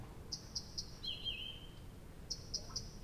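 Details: Nightingale at Abramtsevo singing at night in early June 2021: three evenly spaced sharp high clicks, a long descending whistled slur, then the click series starts again; faint low hum behind.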